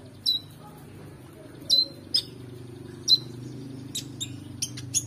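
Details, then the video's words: Oriental magpie-robin singing for training competition birds: separate bright, whistled two-part notes with a quick drop, spaced roughly a second apart, then a few thin high chips over a low hum. "KONIN GACOR EMOSI FULL BONGKAR ISIAN MEWAH‼️Cocok Untuk Masteran Burung Lomba"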